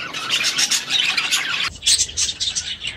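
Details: Aviary budgerigars chatter in rapid raspy warbles, the dense flock sound dropping briefly partway through before quick bright chirps resume.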